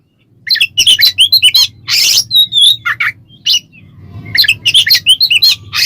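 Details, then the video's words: Oriental magpie-robin song in the ngeplong style, used as a lure to provoke other birds into singing: a busy run of sharp whistled and chattering high notes in fast bursts, a brief pause, then another rapid burst, over a low steady hum. "suara burung Kacer NGEPLONG pancingan Kacer agar ikutan emosi"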